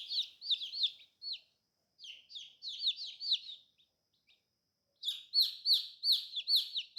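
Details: New colorful baby chicks giving shrill, falling peeps in rapid series of four to six, separated by brief silences, ending in a dense, louder stretch of overlapping peeps.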